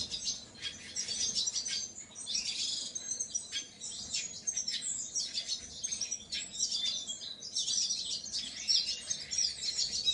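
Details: Painted bunting giving a busy, high-pitched warbling chatter of quick tweets and short trills in bursts of about a second, with barely a pause between phrases.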